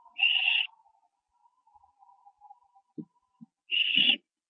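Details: Barn owl owlets at a nest on 15 September 2011, 4:07 AM, around branching; two loud drawn-out screechy hisses about three seconds apart, with a faint low hum and a few clicks between.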